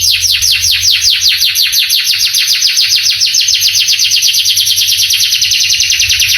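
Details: A male canary sings a fast, unbroken trill of high downward-sweeping notes, about four per second, with a bright buzzy overtone throughout. This is a long training song meant to excite young canaries into answering and singing.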